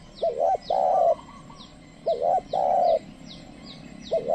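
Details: Trained decoy spotted dove luring wild birds that keep their distance. It gives a repeated phrase: a short double coo followed by a long level coo, about every two seconds. Soft falling chirps tick overhead.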